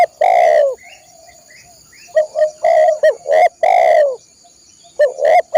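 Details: Spotted dove song used for training caged birds: loud, harsh, low hooting notes in clusters, some long and downslurred, others short and clipped, with faint high twittering and a thin steady high tone behind.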